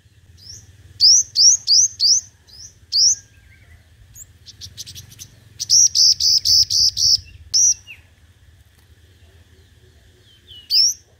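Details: Five-colored sunbird decoy bird in competitive song. Bursts of sharp, high, whistled notes repeated quickly in groups of four to six, separated by quiet gaps with faint softer chips.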